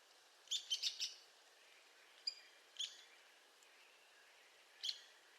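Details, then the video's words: An Arizona woodpecker, native to southern Arizona, New Mexico and western Mexico's Sierra Madre Occidental, gives sharp, high calls: a quick burst of four notes, then three single notes spaced over several seconds, against quiet background hiss. "Arizona Woodpecker Sounds"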